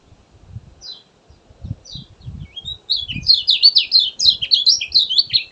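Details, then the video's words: Kecial kuning in energetic song. Two short high falling notes open, then a bright, fast run of twittering high chirps builds into a dense, continuous warble, with soft low thumps and rustling beneath. "Pancingan ampuh buat kecial malas bunyi, suara asli gacor josss"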